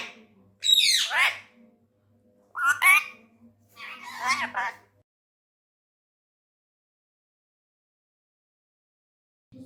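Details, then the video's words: Angry pet Indian ringneck parrot, a tame male, talking in Urdu/Hindi: three harsh, raspy squawking bursts in the first five seconds, each rich and broad, followed by near silence with a faint low indoor hum. "Mithu Ghussa Mai Sub Ki Class Letay Huwa 😜😜| Amazing Ringneck Parrot Talking in URDU/Hindi"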